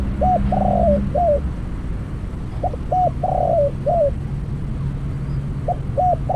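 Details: New decoy spotted dove used for trapping gives two full coo phrases, each of clipped opening notes, a long burry coo and a descending end note, with another phrase starting at the close. Steady low drone underneath.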